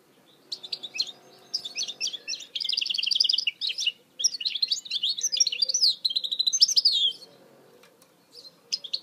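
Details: Mule goldfinch hybrid singing in 2018: long, sustained bouts of rapid, high, rattling trills mixed with twangy, slurred notes. There are short breaks between bouts and a faint low hum behind.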